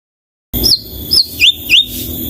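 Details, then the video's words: White-rumped shama (murai batu) singing actively in its characteristic, melodious, varied style: after a brief silence, a few sweet slurred whistles, some rising and some falling, over a faint steady high tone. "Murai Batu Gacor dengan Suara Merdu"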